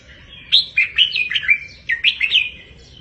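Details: Red-whiskered bulbul song in the 'double 3-4-5' style, used as a tutor recording for caged birds to copy: two bright warbled phrases of quick, clear rising and falling notes, over a quiet low background hum.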